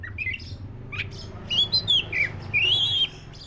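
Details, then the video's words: Black-breasted Oriental magpie-robin song of varied phrases: brief chattery notes, then a series of bright, warbled whistles that rise and fall, ending in a long wavering whistle, with a low hum throughout. "SUARA BURUNG KACER (DADA HITAM)"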